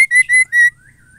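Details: Female white-rumped shama calling a male: three loud, clear whistled notes at a steady mid-high pitch, each about a fifth of a second long, given in quick succession and followed by a faint, thin trailing whistle.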